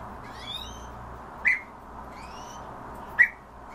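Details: Himalayan bulbul calling: two short, loud, sharp chirps about two seconds apart, with faint rising whistled notes from other birds in the background over a steady low hum.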